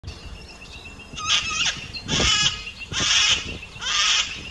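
A sulphur-crested cockatoo gives four harsh, raspy screeches, each about half a second long, spaced roughly a second apart.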